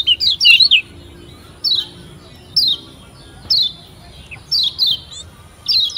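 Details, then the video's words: Lure song of a Lombok white-eye, meant to get young cage birds singing fast. High, thin, downslurred chirps come in short clusters every second or so, separated by quiet gaps over a soft low hum. "PANCINGAN Kecial Kuning PEMULA‼️Biar CEPAT GACOR‼️"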